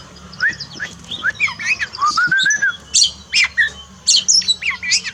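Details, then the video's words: Oriental magpie-robin song used as therapy to coax a pet bird that sings little after moulting: a varied run of sweet whistled slurs mixed with harsh, scratchy bursts, delivered in quick phrases with short gaps. "terapi kacer malas bunyi turun mental pasca mabung paling efektif"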